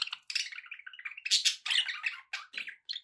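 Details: A budgerigar's fast warbling chatter runs continuously, mixing buzzy notes, rapid trills and brief squeaks in a busy, rambling stream.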